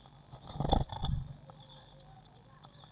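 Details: Eurasian blue tit nest box, 19 May 2019, waxworm feeder nearby; rustling thumps of movement, then bursts of thin high chirps in short groups over a constant hum.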